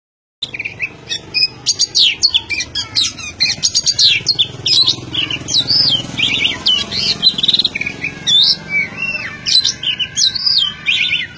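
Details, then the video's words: Oriental magpie-robin singing without pause: a rich, fast stream of varied high whistles, chirps and rising and falling slurred notes, phrases tumbling into one another continuously. "Keren suara burung kacer tanpa henti selama satu menit"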